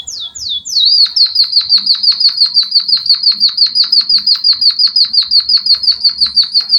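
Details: Java sparrow singing canary-like phrases, used for training birds: three quick rising-falling whistles open into a long, even, high-pitched trill of rapidly repeated chips, close and loud.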